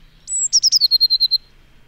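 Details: Eurasian blue tit song in a forest near Neuchâtel, Switzerland, on a spring morning: a thin, very high drawn-out note, then a quick, slightly falling trill of about nine clear notes, like a tiny whinny.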